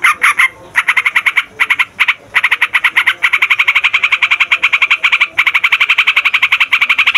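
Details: Yellow-vented bulbul in long 'ngeroll' rolling song, used for luring and tutoring birds. Several short starts give way to a sustained fast run of harsh repeated notes.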